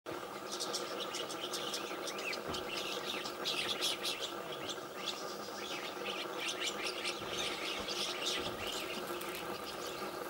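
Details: Rose-colored starlings (Sturnus roseus) giving dense, overlapping harsh chirps and chattering notes, a continuous busy flock sound with a steady low hum in the background.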